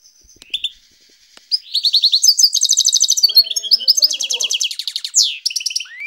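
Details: Russian canary starting with a few scattered chirps, then bursting into rapid ringing trills and rattling rolls that change pitch every second or so, ending on a rising whistle.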